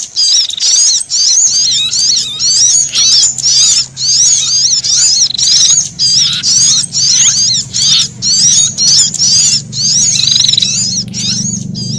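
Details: Long stretch of threatened sunbird and prinia alarm calls: shrill, warbling chatter bursts repeated about twice a second with brief gaps, occasional thin level whistles, over a low hum that begins after a moment.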